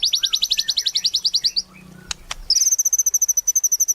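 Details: Singing White-rumped shama, a lure recording for captive birds: a fast rattling series of high clipped notes, a short pause with clicks, then a sustained very high rapid trill.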